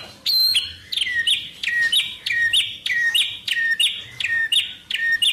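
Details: White-rumped shama song full of wild-bird imitations: bright repeated phrases, each a high note dropping to a lower whistle, roughly one phrase every half second, with a faint low hum beneath.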